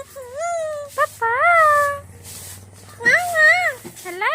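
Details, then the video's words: A pet talking parrot from a pair, uttering speech-like words with wavering, rising and falling voiced tones. The words run almost continuously with brief breaks, over a faint low hum. "Talking Parrots"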